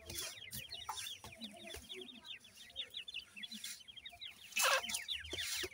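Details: Several new-season grey partridge chicks cared for by their parents give a steady stream of thin, high, downslurred peeps in quick succession, with occasional rustling bursts.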